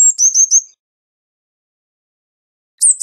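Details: Eurasian blue tit song: a brief burst of three high notes sliding down to a fast trill, followed after a pause by a sharp high phrase at the end; clean background with no other sounds.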